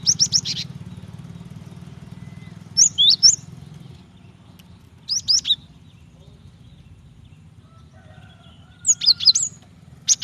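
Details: A female cinereous tit calls out to a male, used to coax singing: short groups of high, sharp chirps spaced a few seconds apart, with faint whistled tones between them over a low background hum.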